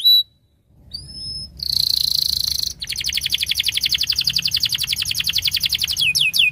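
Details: Canary song with a short rising whistle, a dense buzzy burst, then a long rapid rolling trill of high repeated notes ending in quick downward-sweeping chirps.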